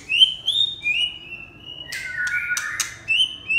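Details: Red-whiskered bulbul giving clear, high, sweet whistled notes, some held and gliding gently, broken by a few sharp clicking sounds midway.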